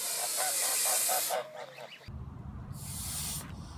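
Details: Goose; hiss; warning to back off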